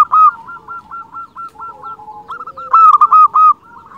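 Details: Singing local zebra dove, offered as a lure to excite other zebra doves. A clipped series of soft rolling coos leads into a louder, quicker burst of about six ringing notes near the end.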